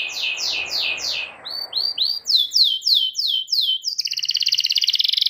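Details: Canary singing used as a model for young canaries: tours of repeated falling whistles, a few rounded upslurred notes, more falling whistles, and finally a quick, even, buzzy trill.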